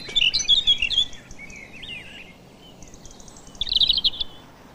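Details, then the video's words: European robin singing in a garden setting, a song heard in most months and even after dark: high, thin, wistful warbled phrases that rise and fall, a tumbling burst, a pause, then another sparkling trill over faint hiss. "robbins will even sing after dark by lamplight"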